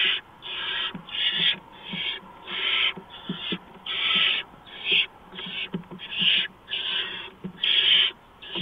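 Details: Barn owl nest before dawn in March 2015, a mouse arriving as prey: steady run of short rasping hisses, about a dozen, each around half a second with brief gaps, soft scratching and shuffling between them.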